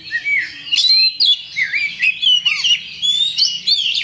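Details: Champion Oriental magpie-robin singing a provoking lure song: quick sequence of clear whistles, rising sweeps and buzzy fragments, one soft lower arched note, with low background hum.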